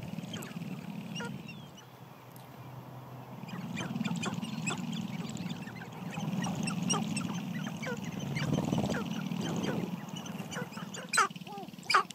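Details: Several sharp-tailed grouse displaying on their spring dancing ground in Idaho, competing for hens: waves of low buzzing, rattling stamping noise, with clucks and brief coos scattered over it, plus sharp clicks near the end.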